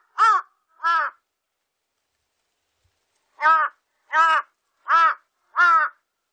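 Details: Large-billed crow cawing: two short rasping calls, a pause of over two seconds, then a run of four evenly spaced harsh caws, clean quiet background.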